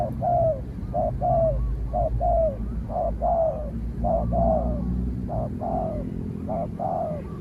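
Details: Spotted dove out for training, calling against a distant wild spotted dove it eventually drives off; repeated two-note coo phrases, a short note then a longer downslurred one, rhythmic over a deep hum.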